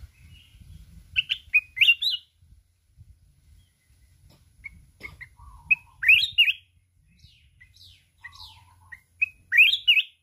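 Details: Red-whiskered bulbul of the mountains singing a contest song in the forest kít bổi voice, wings beating continuously. Scattered chirps and three sharp warbled phrases of slurred whistles, with low rustling and fluttering underneath.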